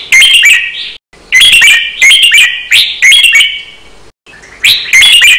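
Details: Cage-bird training recording of a red-whiskered bulbul in counted, doubled, fast-chopping song style; clear loud warbling phrases of rapid whistled notes and sliding tones, three bursts split by brief pauses.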